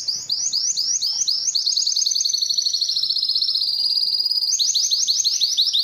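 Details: Belgian canary singing to draw females for breeding: spaced rising chirps that merge into a long, fast, ringing trill, ending with another run of quick upswept notes.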